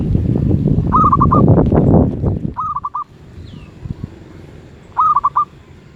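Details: Zebra dove, medium-voice (suara sedang) class, delivering three brief trilled coo phrases of four quick notes; loud low rumbling noise covers the first two and a half seconds, then the background quietens.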